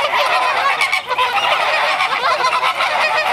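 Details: Spring breeding display of a flamingo flock at Brownsville, Texas: a continuous chorus of overlapping honks and gabbling calls, loud and unbroken throughout, from many birds calling at once.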